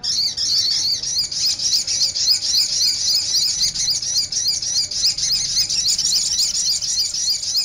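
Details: Crimson sunbird song for luring or training birds: a continuous, very high-pitched, rapid twittering warble with fast repeated squeaky notes and no breaks, slightly harsh and sibilant throughout.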